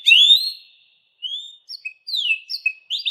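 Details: Canary, a pet songbird, opens with a loud rising whistle, falls silent briefly, then gives scattered short chirps and slurred whistled notes.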